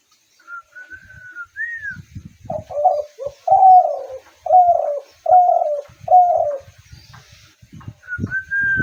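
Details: Spotted dove giving a run of five husky, mellow coos about one per second, bracketed by thin higher drawn-out whistled notes, with low knocking and rustling thumps underneath.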